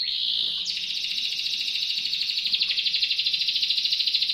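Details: A canary, kept as a tutor bird for magpie-robins and noted for its sharp voice, sings a long, unbroken rolling trill of rapid, high, bright notes, shifting into a faster pulsing roll midway, with no other sounds.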